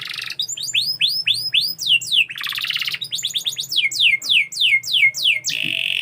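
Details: Canary singing a rich, fast song: rows of bright downward-sweeping whistled notes, buzzy trills near the middle, and a sustained harsh rolling trill at the end, with a faint low hum beneath.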